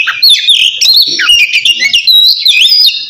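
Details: Short burst of Oriental magpie-robin ngeplong song, used to challenge a rival and get lazy birds singing; fast warbling whistles looping up and down, sharp ticks between phrases.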